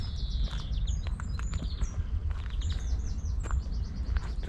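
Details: Common linnet gives a quick, high twittering song of short chirps and trills over low wind rumble, from little birds in bushes by an old garden wall at Hamble shore, New Forest area; greenfinches possibly also present.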